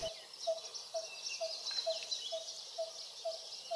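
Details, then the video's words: Coppersmith barbet in Bangkok temple grounds, a resident nesting species there, gives a steady series of low, hollow 'tuk' notes, about two a second, said to sound like a metalsmith working copper, over insect hiss and faint city noise. "this call is supposed to sound like a metalsmith working with copper"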